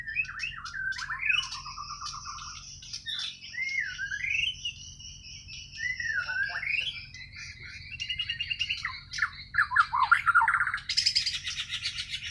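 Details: White-rumped shama of Borneo, singing naturally: varied fluting whistles loop and curve through rising and falling phrases, interspersed with clicks, ending in a burst of rapid scratchy chatter, with a low background hum.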